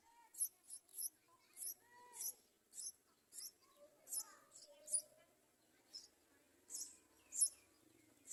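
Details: Yellow-vented bulbul young begging while adults try to feed them: short, high, hissy chirps repeated about every half second, with a few lower whistled notes between them.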